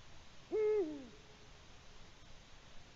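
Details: Eurasian eagle-owl at its nest with prey, a small gray mammal, possibly a shrew, before flying off with it, evening of 21 March 2020; one deep hoot that starts abruptly, holds, then falls away, followed by faint hiss.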